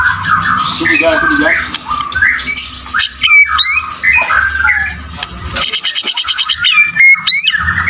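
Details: Full fighter song of a caged White-rumped shama: harsh buzzy phrases mixed with whistled slurs, followed by a fast pulsing run of repeated notes.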